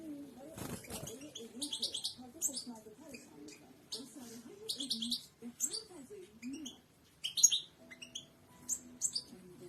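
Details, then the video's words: European goldfinch song, the royal goldfinch style, played for training other birds to sing: bursts of bright, buzzy twittering and rapid chirps high in pitch, separated by brief pauses, over a faint low background hum. "اقوى تغريد حسون الملكي"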